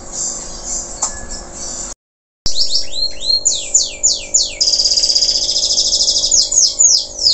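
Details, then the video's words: Canary of local stock after moulting, singing vigorously. After a short silence comes a rapid series of steep, downward-sweeping whistles, then an extended fast buzzing trill with further sweeping notes over a low hum. "Kenari lokal selepas mabung,,Masih Aja Gacorr"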